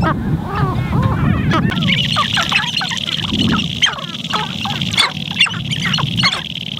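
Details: Sharp-tailed grouse displaying on a spring lek in Montana, recorded from a blind: sharp cackles and repeated clucks, short downward yelps, and a continuous high insect-like buzz, wind in the background.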